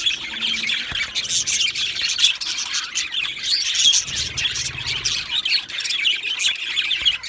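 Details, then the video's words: Continuous chirping from two male budgerigars: busy overlapping warbles, short squeaky notes and clicks running steadily throughout, and faint low rumbling beneath. "2 Male Budgies Birds Sounds | Australian Budgies Birds chirping sounds"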